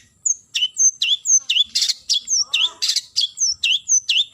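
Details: Long-tailed shrike (cendet) calling a rival with a rapid, lively run of high whistled slurs, about four per second, mixed with a few harsh buzzy rasps.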